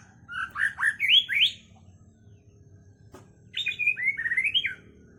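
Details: White-rumped shama with a song filled with learned phrases of sooty-headed bulbul, sambung and lovebird: a quick run of varied slurred whistles, a pause with a faint click, then another warbled phrase of rising and falling notes.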